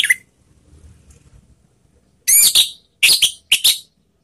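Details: Orange-headed thrush calls played to coax other birds into song: one short opening note, a pause, then paired harsh buzzy notes with whistled undertones, repeated three times.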